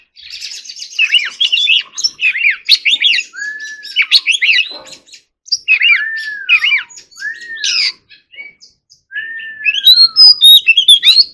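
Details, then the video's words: Oriental magpie-robin rehearsing its forest-style song: bouncy repeated whistled phrases, then three long pure whistles each arching and sliding down, ending in a loud rush of high twittering notes. "choè than hót giọng rừng"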